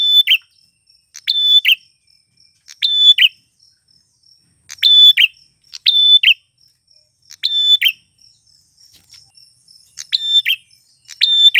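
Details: Lure song of a male prenjak tamu klawu prinia for wild females: nine phrases, each a flat whistled tone and a buzzy trill, at uneven gaps of one to two seconds.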